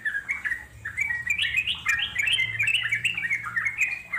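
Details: Yellow-vented Bulbul in the wild with a chattering song of clear, stepped whistles that jump up and down, answered by overlapping phrases, with a faint low hum underneath.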